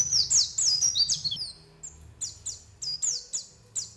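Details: A white-eye lure call, used to make birds sing and to attract them for trapping: a fast burst of shrill descending tweets, then softer, evenly spaced high chirps.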